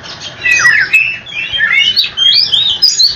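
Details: Oriental magpie-robin in nonstop rolling song meant to make other magpie-robins answer: rapid, varied high whistles and sweeping slurred notes with a few harsher squawky phrases, running continuously without pause.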